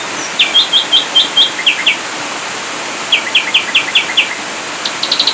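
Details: An ashy drongo sings 'full tembakan' in a masteran training recording: lively groups of sharp, falling whistled notes in two bursts, ending with a quick cluster of high chips.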